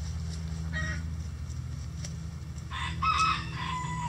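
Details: ['Rooster in a sanctuary coop on a sunny day crows once, a strained, harmonic cry held over a second that dips and trails off, after a brief earlier squawk, against a steady low droning background.']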